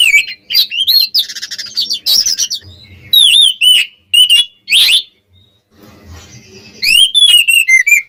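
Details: Oriental magpie-robin singing to provoke opponents: bouts of loud, clear whistles, curling slurred notes and scratchy buzzes, broken by short quiet gaps with faint background rumble.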